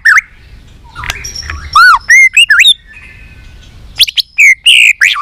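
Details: White-rumped shama stimulated into its competition song: loud arched whistled notes, rising and falling slurs and a buzzy held tone, delivered in short clustered phrases over faint background rustle.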